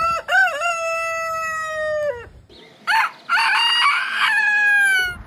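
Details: Roosters of heritage chicken breeds crowing: a clear crow with a quick wavering start and long level tail, followed by rougher, overlapping crowing with a second long sustained note.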